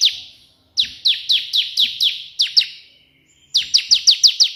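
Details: Vigorous ciblek (Bar-winged prinia) in 'tembakan' burst style, used as a tutor song: three bursts of sharp, descending whistled notes separated by short silences, the last burst quick and evenly spaced.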